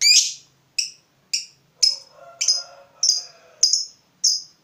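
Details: Fighter lovebird worked up by a rival: a series of clipped, shrill high chirps about every half second, with a soft lower warbling sound in the middle.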